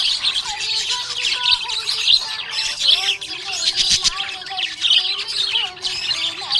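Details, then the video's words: Budgerigar in a happy mood, chirping continuously in bright, scratchy twitters and quick warbled phrases, with sustained low melodic tones running beneath. "Happy budgie chirping sound"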